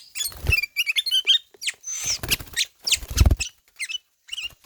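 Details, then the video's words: Kutilang emas, known in English as ruby-throated bulbul, in ngelowo song: squeaky, erratic chips and slurred whistles, including one drawn-out note, alternating with loud low thuds. "KUTILANG EMAS NGELOWO"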